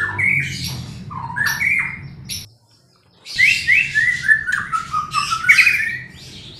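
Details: Shama song played to provoke a reluctant bird: whistled notes and harsh bursts, a second of near silence, then a loud busy stretch of rapid, climbing and dipping whistles with buzzy overtones.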